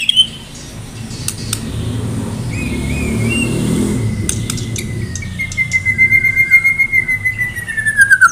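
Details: White-rumped shama of Medan, in full song and ready for a contest, gives a long sustained whistle that holds level then slides downward, ending in pulsing repeated notes over a low background rumble.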